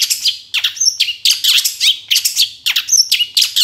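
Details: Long-tailed shrike master song with varied filling: scratchy chatter alternating with steep falling whistles and brief high pure notes, delivered in quick phrases roughly every half second.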